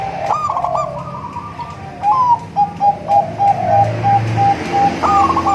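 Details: Crossbred local-Bangkok zebra dove giving its sweet song, meant to attract other zebra doves: a rolling trilled phrase, then evenly spaced short coos repeated about three times a second, and a fresh rolling phrase at the end, with low rumbling in the background.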